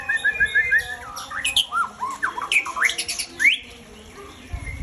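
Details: White-rumped shama, the Aceh type, a breeding bird; rich song of loud whistled swoops and slurred rising and falling notes in quick varied phrases, opening with a series of short rising whistles, a person's voice faint beforehand.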